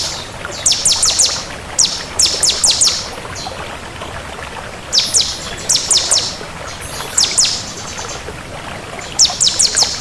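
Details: Crystal bar-winged prinia, singing actively, repeats short clusters of three to five sharp, high, down-slurred notes every second or two over a hissing background.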